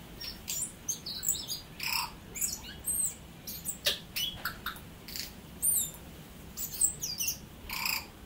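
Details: New Zealand tui song: rapid bursts of very high clicks, crackles and thin whistles, broken by sharp wheezy notes, all fairly quiet against a steady hiss.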